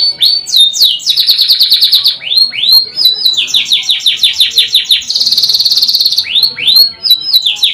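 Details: Singing canary delivering a long varied song: rolling series of rapid downward-slurred whistles, rising sweeps, and a high buzzing trill held for about a second, all closely strung together without pause.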